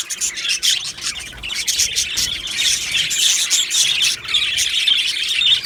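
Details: Australian budgies in an aviary colony, 15 July 2025: squawky, chattering chorus that builds in loudness, with dense overlapping chirps and short whistles throughout.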